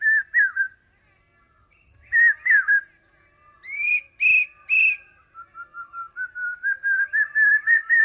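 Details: Male Common Hawk-Cuckoo calling to woo a female and claim territory. Whistled notes near one pitch, then three harsher rising notes, then a quickening run of short whistles climbing steadily in pitch. A faint steady tone runs throughout.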